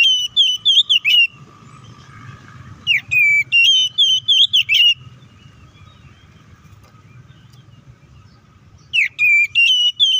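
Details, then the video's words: Oriental magpie-robin, agitated fighting song for goading rival birds. Loud whistled phrases of quick slurred notes come in three bursts roughly three seconds apart, each packed with sharp repeated syllables, low background hum between. "KACER GACOR NGEPLONG TARUNG KONSLET❗PALING AMPUH BUAT PANCINGAN KACER AGAR EMOSI!"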